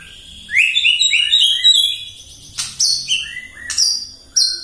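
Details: Morning provocation song of a white-rumped shama: a rapid run of rising whistled sweeps, followed by sharp high squeaks and clear fluty notes repeated in short bursts.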